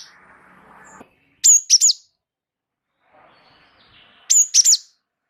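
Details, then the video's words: Java sparrow singing continuously, used as a training and prompting recording for cage birds: two short bursts of high, sharp downslurred chirps about three seconds apart, with faint low background murmur before each burst. "gelatik wingko gacor ngeroll pancing bunyi suara masteran burung gelatik"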